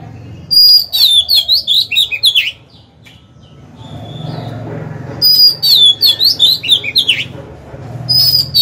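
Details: Decoy Oriental magpie-robin singing to lure rival birds into fighting: two bursts of rich, varied whistled phrases, with quick rising and falling notes, separated by a quiet pause with low background rumble.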